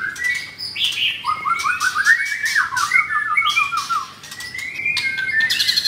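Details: White-rumped shama, caged F4 blorok bird in Kemayoran, Jakarta, sings a rapid stuttering run of repeated whistled notes, then a descending rattle-like series, followed by long drawn whistles; noisy chattering bursts in the background.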